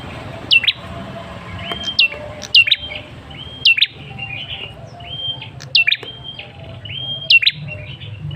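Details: ['Male red-headed tailorbird lure call: rapid high swooping chips alternate with short flat whistles in a lively, repeated run of about seven bursts across eight seconds, over faint low hum.']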